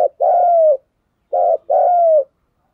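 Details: Spotted dove coos to stimulate other doves to coo: two loud phrases, each a brief pulsing note followed by a long, mellow coo sliding gently down; nothing else audible.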